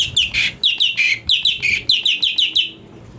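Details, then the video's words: Brown-breasted bulbul (cucak cungko) song used as a master recording for training magpie-robins: a fast series of about a dozen short, bright chirps in quick succession, fading into a quiet murmur at the end. "CUCAK CUNGKO||fariasi suara cungko buat masteran murai"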